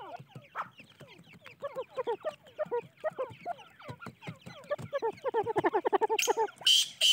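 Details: Teetar chicks peeping steadily, many short downslurred chirps in a fast, uneven stream that grows busier and louder, ending with a brief harsh noisy burst.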